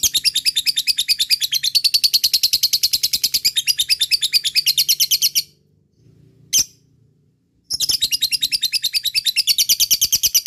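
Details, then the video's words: Fighter lovebird in long ngekek, a chattering song meant to spur lazy lovebirds to answer: very rapid, harsh, high ticking trill for over five seconds, a brief silence with one chirp, then the fast rattle resumes. "pancing love bird malas bunyi,lovebird fighter ngekek gacor di jamin nyaut"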